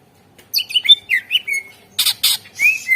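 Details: Greater green leafbird song used as a lure to start other birds singing: a fluid run of bouncing whistled notes, two rough rasping bursts, then a final upslurred whistle.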